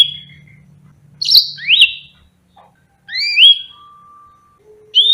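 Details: Yellow-fronted canary (Serinus mozambicus) gives bright, high, slurred whistles in short bursts of two or three sweeping notes with pauses between, a low hum at the start.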